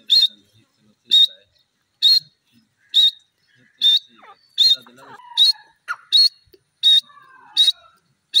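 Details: Grey francolin producing short sharp whistled notes repeated about once a second, steady and regular, with faint chirps and scratchy background sounds between them.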